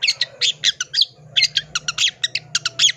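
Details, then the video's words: Previously mute Long-tailed shrike, now hot and answering back, delivers dense isian: quick harsh chirps and squawks in close succession, some with bright whistled peaks, over a low droning hum. "Cendet macet bisu jadi PANAS NYAUT dan ikutan BONGKAR ISIAN FULL ISIAN GACOR"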